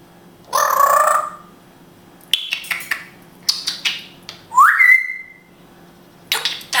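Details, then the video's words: Pet African grey parrot from Israel, talking in Hebrew: a drawn-out nasal vocal sound, clusters of clicks and raspy syllables, then a loud whistle sweeping sharply upward and holding steady. "Funny Grey African Parrot speaking hebrew"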